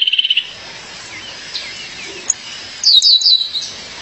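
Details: Female violaceous euphonia calling her mate: a quick buzzy trill of high notes opens, then soft scattered chips, and a bright burst of sharp, descending high chips near the end.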